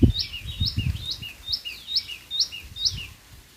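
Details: White-throated fantail in India, with short, high, whistled two-note phrases: a sharp rising note and then a lower one, repeated about every half second for several rounds over low rumbling background noise.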